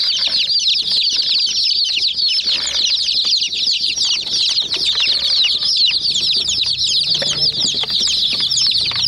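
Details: A flock of domestic chicks swarms a miniature toy jeep, peeping nonstop in thin, high, slightly downslurred notes that merge into a steady chattering wall, with light clicking taps throughout.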